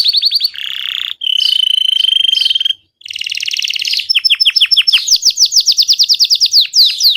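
A Belgian canary sings loudly in fast rolling trills, steady ringing tours, then quick rising chirps repeated several times a second, all high-pitched.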